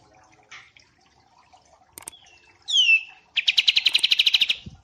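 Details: White-eye song in a mastering track paired with a kapas tembak: faint chips and clicks, a thin falling whistle, a loud swooping downslur, then a fast rattling trill of evenly repeated notes.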